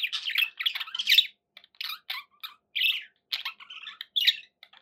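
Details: Pet budgerigars in dense chatter: rapid scratchy chirps and squawks between two and five kilohertz-range tones, in bursts with short gaps, several birds overlapping.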